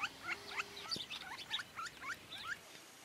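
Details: Campo flicker alarm call in rural areas and groves of Santa Fe, Argentina, 2023: a run of loud, shrill, slurred notes about four per second, sharp and harsh, with a faint steady hum underneath.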